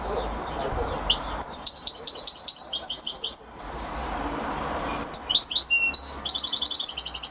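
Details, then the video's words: European goldfinch described as a champion singer: quick liquid twitters and repeated high notes, a brief pause, then renewed chattering ending in a dense buzzy trill. "Carduelis(Goldfinch) Champion amazing singing !"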